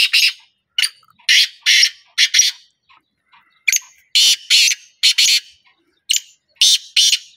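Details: Black francolin (kala teetar) calling: harsh, raspy, noisy bursts delivered in uneven clusters of one to three, separated by short silent pauses, with no other clear sounds.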